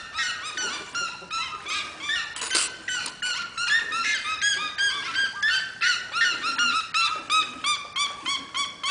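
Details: Red-legged seriema calling from a house corral: a long, steady series of loud, yelping, reedy notes repeated about three times a second, pulsing rhythmically throughout, with faint background rustling.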